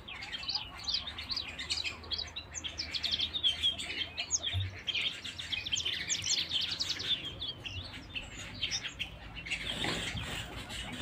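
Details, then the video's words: Canary song as a dense, continuous mass of rapid high trills and chirping from several birds, with a short low thump near the end. "Canary Singing"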